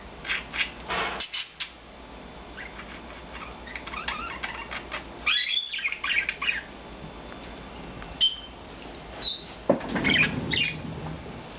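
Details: Rescued budgerigars, four birds in blue, white and green plumage living free indoors all day, give bursts of high chirps and scratchy warbling notes, with quiet gaps between flurries.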